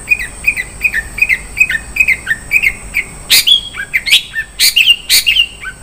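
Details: Long-tailed shrike in 'isian' fill-in style: evenly spaced downslurred chirps, then louder harsh bursts and bright whistled notes, over a faint steady high hiss.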